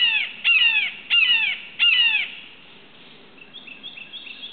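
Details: A wild red-shouldered hawk perched while hunting for breakfast one morning near Suwannee River State Park, Florida, July 31, 2011. It gives three loud, harsh, downslurred screams about half a second apart, then faint high chirps from small birds follow.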